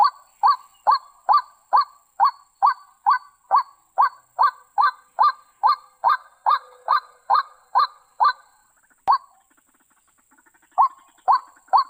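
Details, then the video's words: White-breasted waterhen call used as a trapping lure: a steady series of low, hollow honking notes repeated about twice per second, pausing briefly before resuming. "suara burung ruak ruak paling mantap 100%"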